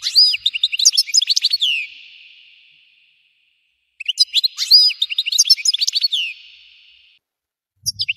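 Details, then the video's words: Two long phrases of European goldfinch song, each a dense run of high, tinkling twitters and slurred chirps that fades at the end. Silence separates them, and a third phrase starts at the close. "تغريد الحسون المدمر صوت تفجير طائر الحسون"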